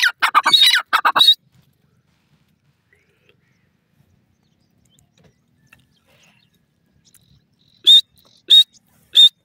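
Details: Partridge (teetar) calling: a loud burst of harsh, rapid notes in the first second, a long silence, then three short, clear, high whistled notes spaced about half a second apart.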